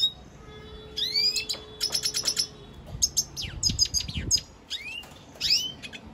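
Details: Red siskin singing: rapid twittering of high chirps and upswept whistled notes in bursts, with a long steady rising whistle near the start and pauses between phrases.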